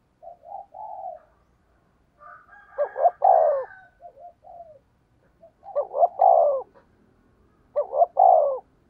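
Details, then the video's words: Spotted dove lure call for attracting wild doves: soft introductory coos, then three loud, throaty phrases, each a double stutter and a long coo, with faint background hiss. "Tiếng cu gáy thúc bổi"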